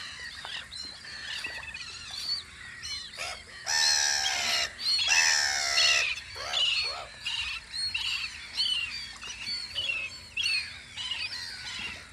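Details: Spring gulls keeping watch on Audru polder: a loud, rich laughing bout of stacked harmonic cries near the middle, surrounded by scattered shorter squawks from several birds and a quiet low hum.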